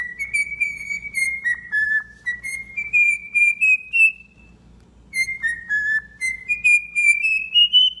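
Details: A tame, domesticated pet cockatiel whistles two clear, wavering phrases that dip and then rise, with a short pause between them and a faint low hum behind.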